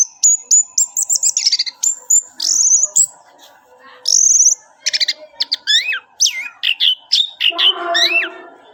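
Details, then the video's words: Orange-headed thrush singing a varied phrase of sharp high whistles, short buzzy trills and falling slurred notes, separated by brief pauses. "Kumpulan kicau anis merah"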